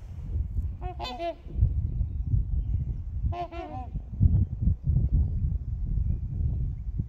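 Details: Trumpeter swans with geese on Horseshoe Lake, recorded from the shore: a quick pair of resonant, horn-like honks, a pause of two seconds, then another pair, over constant low background rumble.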